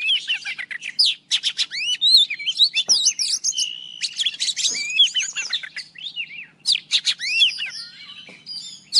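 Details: Oriental magpie-robin, an old wild bird, in morning song: dense, varied whistles and sharp clicks, rising and falling slurs interleaved with brief chattering bursts, continuous throughout.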